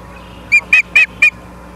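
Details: Four quick, high chirping whistles in a tight burst from an osprey at its nest in Charlo, Montana, on an August 24, 2023 nest-camera feed at 17:43, with a quiet hum behind.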